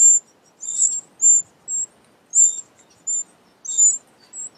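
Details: Family of Eurasian wrens at a large nest under a pavilion; short, shrill, high-pitched squeaks repeat irregularly, roughly twice a second, some bursts rougher and fuller than others, with little else audible.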